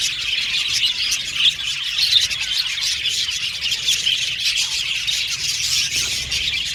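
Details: Many aviary budgerigars calling together, a rich rolling mass of high chirps, squeaks and scratchy warbling with slight swells in loudness around the second and third seconds.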